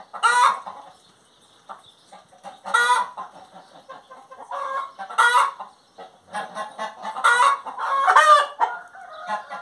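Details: Hen singing: loud harsh squawks roughly every two seconds, broken by softer low clucks and murmurs between them, with no other animals or people heard.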